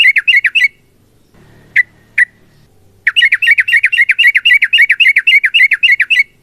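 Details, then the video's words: Long fighting song of a sooty-headed bulbul, used to get other bulbuls singing: a fast chattering burst, two single sharp notes, then a long, steady, rapid series of repeated scratchy notes. "TRUCUKAN GACOR TARUNG ROPEL PANJANG Pancingan trucukan Agar Bunyi"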